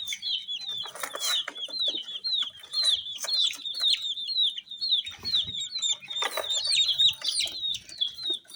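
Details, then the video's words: A flock of colour-dyed chicks gives a dense chorus of shrill, falling peeps, nearly continuous, with occasional thumps and rustling. ""Chicks Chirping" Sound"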